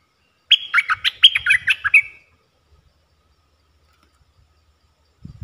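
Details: Red-eyed bulbul, a caged decoy bird used to lure wild birds: a quick bubbly burst of a dozen chattering, warbled notes for under two seconds, then quiet, ending with a low thump.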